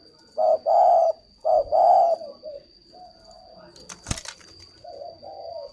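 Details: Spotted dove kept at a dove-breeding farm in Ba Vì, Hanoi, Vietnam, giving deep mellow coos in two quick paired phrases, then softer, drawn-out coos; a sharp click sounds midway.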